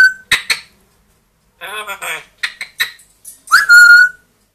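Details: Grey parrot and Amazon parrot kept as pets, aged two and one, talking and whistling: a brief whistle, clicks, a murmured speech-like phrase, choppy syllables, then a sharp rising whistle that levels off into a steady tone.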